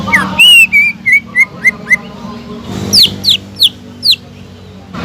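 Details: Greater green leafbird, kept in a cage, singing a series of clear whistled notes that slide up or down, first lower and evenly spaced, then four higher steeply falling whistles.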